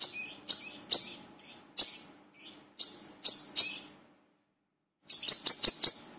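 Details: Brown-throated sunbird, known locally as wiceh or manggar, used as a lure to make other birds sing: widely spaced, sharp high notes roughly every half second, a brief pause, then a tight burst of five quick chirps.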